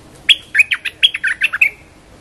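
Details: A bulbul gives its lure call, a quick, bubbly phrase of about eight liquid, slurred chirps in under two seconds, bright and mid-pitched, with no other sounds.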